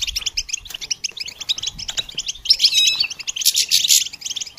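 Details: Goldfinch singing as training stimulation for songbirds: quick repeated high chirps giving way to a loud harsh buzzy passage with a whistled note, then chirping again.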